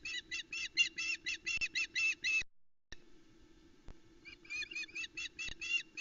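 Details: Female osprey on the Loch Arkaig nest, Scotland, 17 July 2020, calling as the male brings the chicks a headless trout; rapid shrill yelps in a long burst, a gap with low rumbling noise, then yelping resumes.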